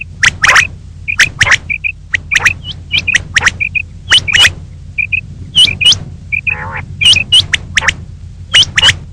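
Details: Female common quail calling in the morning: loud sharp clicks, upward-flicking notes and short paired high whistles in a busy, irregular series, with one buzzy nasal call.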